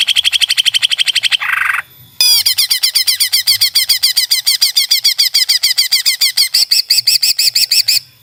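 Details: Greater green leafbird in a masteran recording: a rapid run of repeated notes, a brief harsh buzzy burst and short gap, then a long series of sharp, rhythmic, slightly varied chips.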